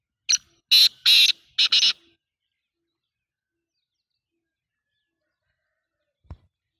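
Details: Black francolin giving a loud, harsh call of four rasping notes, the last two longer and close together, over about two seconds, followed by silence and a single faint low thump.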